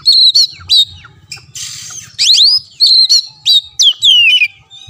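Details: Oriental magpie-robin masteran for a kacer that will not sing: clear whistled notes and rising sweeps alternate with a harsh, noisy rasp in the middle, phrases in short loud bursts over a soft low hum.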